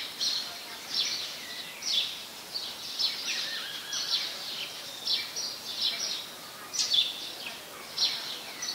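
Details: On 17 January 2020 in Ubon Ratchathani, Thailand, where it is a very common resident, a house sparrow gives a steady run of bright, slightly harsh chirps, roughly one or two each second, over a faint outdoor hiss.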